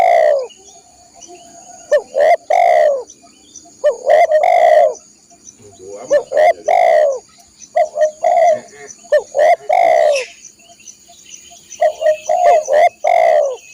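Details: Loud cooing of a spotted dove for tutoring caged birds: repeated phrases of short hoots that run into long, mellow, slightly descending coos, roughly one phrase every two seconds, with a constant high insect buzz in the background.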